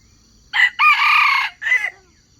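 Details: Crowing wild chicken serving as bait to catch wild chickens: three-part crow with a short opening note, a sustained loud hoarse middle and a falling closing note, over a faint high background hum.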